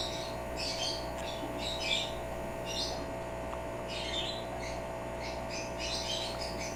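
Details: Indoor pet African grey mimicking human sneezes it has picked up from its owners: repeated breathy hissing bursts, roughly eight in quick succession, over a constant background hum.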